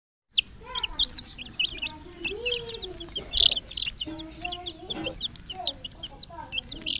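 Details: Coloured baby chicks making a steady stream of high, thin, rapid chirps and peeps that overlap one another, with some lower, softer tonal calls beneath throughout.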